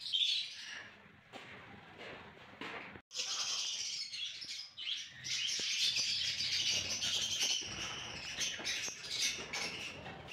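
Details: Albino red-eyed lovebirds chatter in a dense, high chorus of sharp chirps and squeaky twitters, with bursts of wing flapping.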